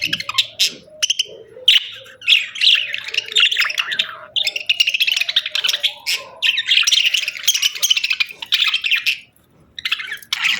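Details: Pet budgies sing in buzzy warbled chatter and bright chirps, with a faint low whistled tone weaving beneath and a short pause near the end.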